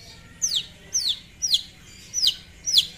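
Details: Long-tailed shrike song used to call a rival: five sharp, high downward-sweeping chips spaced about half a second apart, clear and loud above faint low hum.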